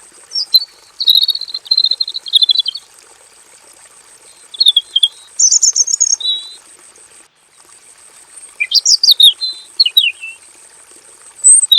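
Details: In a simple aviary, a male robin sings its long, full rolling song: clustered sharp high chirps early, a brief phrase near 5 seconds, then a lively descending warbled run after 8.5 seconds and a final note, over steady background hiss.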